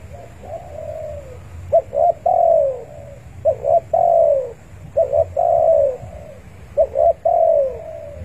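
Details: Spotted dove calling actively to rivals, a call used as a lure for trapping: low cooing phrases of two short clipped notes followed by a long, slightly falling coo, repeated roughly every one and a half seconds over a low background hum.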